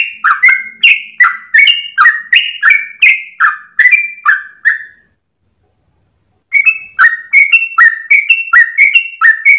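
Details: Yellow-vented bulbul singing long, lively phrases before sunrise while wagging its tail, used to tutor caged birds: fast repeated downslurred whistles, a pause of nearly two seconds, then the same bright chattering phrases resume.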